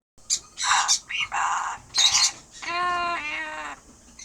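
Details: Pet Amazon parrot giving a loud laugh: harsh noisy bursts, then a laughing run of stacked harmonic notes falling slightly in pitch.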